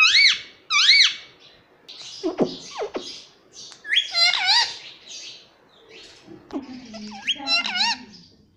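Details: Talking parrot kept as a pet, said to be saying "papa"; bright whistled, wavering harmonic syllables and harsher squawks in quick bursts, some lower rasping notes toward the end, no other clear sounds.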